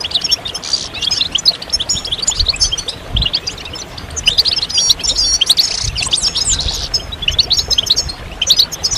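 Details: European goldfinches in a chorus used to coax silent males into song, with mating and readiness calls. Quick bursts of thin, tinkling chirps and liquid trills come in waves, with a faint low hum beneath.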